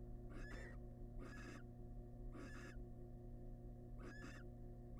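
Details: Wild barn owl family in a research nest box as the male brings in a big rat: four breathy, screechy hisses spaced about a second apart against a steady background hum.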